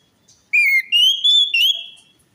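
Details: Orange-headed thrush song used to prompt a bird that won't sing or is stressed: four connected ringing whistles, the first dipping, the rest rising slightly and holding steady.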